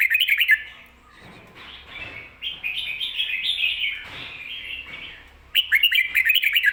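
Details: Red-whiskered bulbul song used for teaching caged bulbuls, in the Thai 'double' song style: rich warbled phrases between two and four kilohertz, with loud bursts of fast sharp chirps at the start and end.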